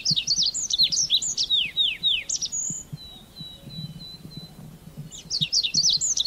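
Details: High, sharp chirps from a Red avadavat tumble out rapidly and then pause on a thin steady whistle before another quick run of twittering notes.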